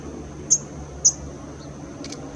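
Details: Northern red bishop in Orange County, California, recorded in summer or fall between 2014 and 2019, giving thin, very high chips about half a second apart with a faint extra tick between, over a soft low rumble; two birds seen flying.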